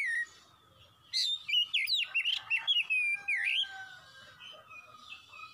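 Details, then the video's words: Oriental magpie-robin in full fast song: a rapid run of varied whistles, sweeping slurs and chattering notes, with quieter pauses before and after. "MASTERAN KACER CEPET GACOR"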